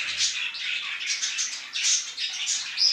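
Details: Morning chatter of parrots in a room: a busy, unbroken mix of bright chirps, twitters and rasping notes from more than one bird, ending in a brief thin whistle.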